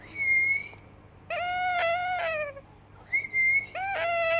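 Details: Young yellow Indian ringneck parakeet alternating a clear level whistle with a long harmonic meow copied from a cat, repeating the whistle-then-meow pair twice.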